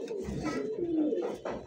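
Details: Domestic pigeons at a dealer's loft in Jamgara, Ashulia, Savar, Dhaka, Bangladesh, breeds including Rajgolla, Lahori, Lakkha, Chila, Baghdadi and Giribaz, recorded at midday: a low soft cooing note drawn out over a second, indoors.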